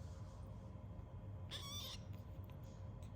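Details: A 33-day-old baby cockatoo gives one short, harsh, raspy screech lasting about half a second, over a steady low rumble of background noise.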